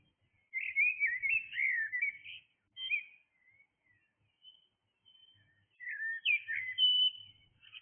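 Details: Early-morning blackbird giving a rich warbling phrase, a short whistled follow-up and quiet single notes, then another full, fluted phrase that rises and dips.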